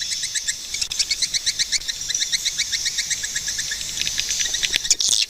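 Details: Swiftlets giving rapid, evenly spaced high ticking chirps, several per second, over a constant background of twittering from other birds.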